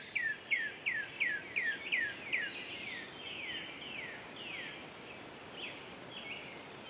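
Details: Northern cardinal singing in Central Park, Manhattan, New York: a quick series of about seven loud, clear down-slurred whistles, followed by softer, slower slurred notes fading out, over steady background hiss.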